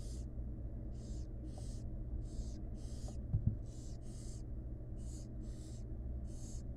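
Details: Barn owl chicks, wild, begging while the mother feeds them in a nest box; about ten breathy hissing shrieks follow roughly every half second, with a couple of soft thumps midway and a constant low hum.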